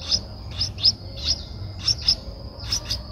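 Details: A Streak-eared Bulbul nestling aged 11 days, Ubon Ratchathani, Thailand, 13 April 2023, utters irregular bursts of very high, sharp chips, some in quick pairs, over quiet background hum.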